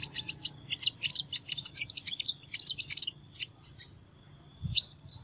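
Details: Sunbird with an unusual voice singing a dense, rapid, high-pitched twitter of tiny chirps and buzzy notes, pausing briefly before two sharp, thin, rising squeaks at the end.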